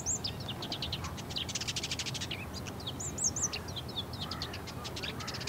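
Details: Singing in courtship, a bull-headed shrike mixes fast buzzy trills, very high thin whistled notes and scratchy chatter in a rich varied stream, heard over soft steady background noise.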